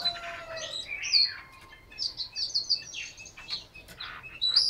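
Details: A caged Chinese hwamei kept in Hanoi sings a rich, fast run of varied whistles, with slurred and trilled phrases shifting up and down in pitch with barely a pause.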